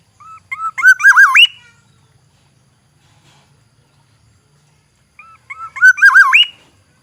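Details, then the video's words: Black-naped oriole from Aceh, a forest bird: two identical fluty, whistled phrases about five seconds apart. Each opens with short notes, then wavers in rich, harmonic-laden loops before ending in an upward-sweeping whistle, over a quiet background. "variasi kicau kepodang Aceh, Suara khas kepodang hutan, Black naped oriole"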